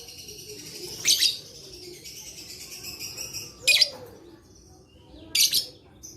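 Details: Lovebird call therapy for lazy singers: three loud, grating chirp bursts roughly every two seconds, joined by a steady high buzzy trill between them.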